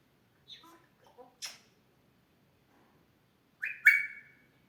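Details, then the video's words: Grey parrot kept as a pet, mimicking human sounds: a few soft chattering notes and a sharp click, then after a pause a loud falling whistle with a squawky edge. "Gray Parrot talking and coughing like human"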